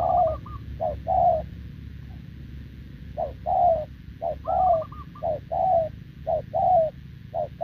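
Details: Spotted dove, a freshly caught wild bird, coos nonstop with a decoy in November 2024; low two-part coos in irregular pairs, a brief pause midway, and a thin higher wavering note near the start and middle.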